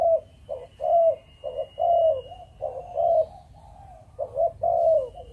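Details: 'Chụp Chụp Ô' cooing by a breeding spotted dove of the Malaysian line: steady rhythmic couplets of low, rounded coos, a short note followed by a longer drawn one, repeated about once a second.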